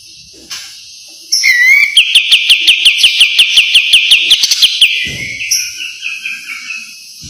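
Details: White-eye 'besetan' master song for training birds: a rising whistle opens a long, steady run of piercing repeated notes, roughly three per second, before softening into quieter trailing twitters.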